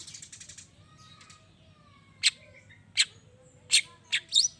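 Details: Long-tailed shrike sending out sharp, scratchy calls about once a second after a brief rapid stutter, meant to provoke other shrikes to answer; faint whistles of other birds in the background.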